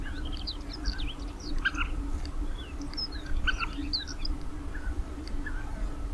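Several European bee-eaters give short, liquid, rolling chirps that overlap in quick succession, over a steady low rumble of wind or distant noise.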